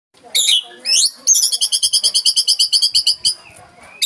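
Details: White-rumped shama song from a real bird, used as a tutor recording and described as a fierce 'tembakan' (shot) style: sharp rising whistled notes, then a fast burst of about fifteen identical high, ringing notes, ending in softer chatter.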